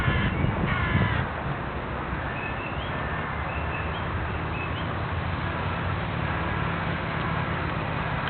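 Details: Harsh cawing from crows in the Bois de Boulogne woodland, Paris, loudest in the first second, then faint scattered calls above a constant low rumble of city traffic.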